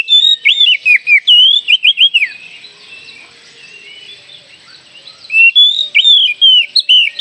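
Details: Oriental magpie-robin singing actively and spreading its tail, used as a lure to get young magpie-robins singing. Loud bursts of clear, varied whistled notes, some rising and some slurred downward, stop for about three seconds, then resume over a steady background hiss.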